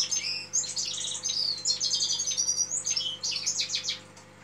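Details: Fast, continuous twittering song of a red-fronted serin, a bright jumble of high trills and squeaky chirps with brief pauses, fading slightly toward the end, over a faint constant low hum.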